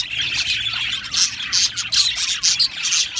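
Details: Short burst of a budgerigar aviary colony, rapid pulsing chirps and whistled tweets repeating quickly over a continuous high twitter of many birds.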